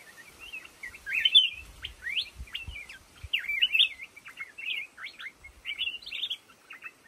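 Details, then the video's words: Black-crested bulbul singing in a thicket of lồ ô bamboo: a run of short, bright warbled notes that rise and fall quickly, delivered in loose phrases, with faint low thumps below. "tiếng chim hót trong bụi lồ ô"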